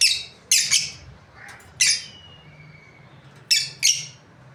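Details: A breeding pair of lovebirds chirping: sharp, piercing shrieks in pairs and singles, separated by short gaps, with a faint thin whistle between them and a low hum in the background.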